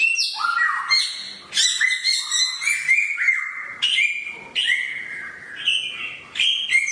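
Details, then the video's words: Loud song of a samyong bird described as sharp-voiced, with piercing high notes dropping into level whistled phrases, spaced in short bursts about every second. "burung samyong suara pedas"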